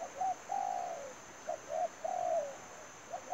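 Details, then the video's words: A lure spotted dove for bird trapping calls in soft, low coos. Brief notes alternate with long, smooth coos that fall at the end, closely spaced, while a high steady whine continues in the background. "bẫy chim cu gáy. mồi nỡ rùa bay ghi bàn"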